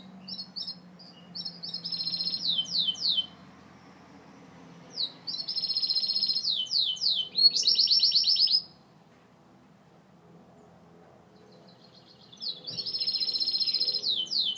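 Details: Gloster canary song in bursts separated by pauses: sharp downward-sweeping whistles, dense rattling trills and rolling high phrases, each burst lasting a few seconds, with silence between and a faint low hum early on.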